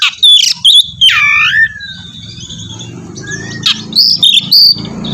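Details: Loud, lively song of an Oriental magpie-robin: bright whistled notes and a long slurred descending whistle open the phrase, followed by a quieter stretch of thin whistles and chirps over a low background hum.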